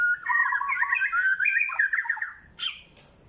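A White-rumped shama pours out a rich, rapid run of varied whistled and warbled notes for about two seconds, then gives two short, sharp notes.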